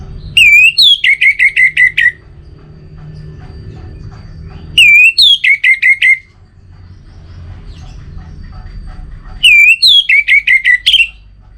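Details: Orange-headed thrush singing loud whistled phrases, each opening with a rising swoop and followed by about six quick repeated notes. Three phrases come roughly every four to five seconds, with quiet low hum between them.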